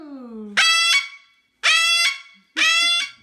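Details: Pet Moluccan cockatoo showing off its crazy loud voice. A short descending voiced sound opens, then three blaring, harsh screams follow, each under half a second, roughly once a second.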